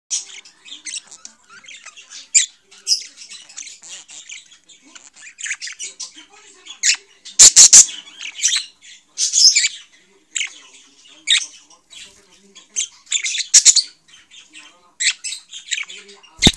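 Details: A tame pet budgerigar at play chatters in a steady high warble of scratchy chirps, squeaks and brief squawks.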